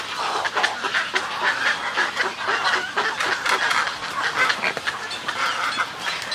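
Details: Snowy egrets at a colony giving colony and greeting calls, close up: rasping, gargling croaks in irregular bursts about once a second, several birds overlapping.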